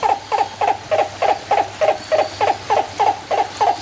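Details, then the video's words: Captive turaco calling at San Diego Zoo Safari Park on 11/10/2020: a rhythmic series of short, throaty barking notes, roughly three or four per second, about thirteen in all, with a low background hum. "Call of the Turaco"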